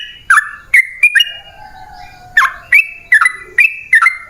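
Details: Sooty-headed bulbul (trucukan) song played to lure wild birds. Sparse sharp whistled phrases rise and dip, with a long gap in the middle where a faint low drawn-out tone is heard.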